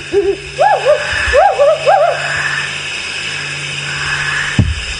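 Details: Wood owl call played during a sunrise safari drive broadcast from South Africa's Sabi Sand area, November 2017: a quick run of about eight short rising-falling hoots, bunched in pairs over two seconds, over a low hum and one thump.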